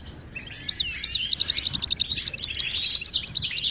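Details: Moroccan European goldfinch song for teaching caged birds to sing, a rapid tinkling series of high chips and twitters repeated almost three times per second.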